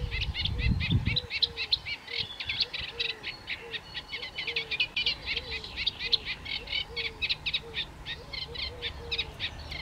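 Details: Juvenile Eurasian penduline tits (Remiz pendulinus) foraging on a pond shore in Chropyně, 3 July 2019: thin, high call notes tumble out fast and irregularly, several per second, over a steady row of low, soft hooting notes about twice a second.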